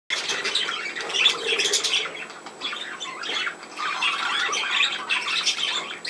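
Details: Budgerigars, from a film dated 17 November 2024, give dense overlapping warbling chatter with harsh squawks and short chirps, steady and busy for six seconds with bright high notes throughout.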